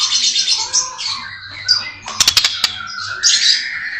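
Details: White-rumped shama (murai batu) singing 'isian' material: harsh, squawky chatter and buzzy phrases, broken by a cluster of sharp clicks, then a rising scratchy phrase.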